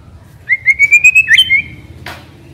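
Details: Caged white-rumped shama used as a decoy, giving a series of about seven clear, slightly rising whistled notes ending in a twisting slur, followed by a brief rustle; low hum throughout.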